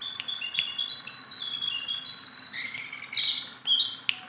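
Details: A tame Sunda bulbul that sings constantly. A dense, chattering tumble of high, overlapping whistles and twitters ends in a few sharper slurred notes.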